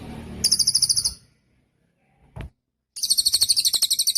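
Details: Cililin song for tutoring other songbirds: two bursts of high rapid trilling, the first short and fading, then a brief click, then a second vigorous trill starting after a pause of nearly two seconds.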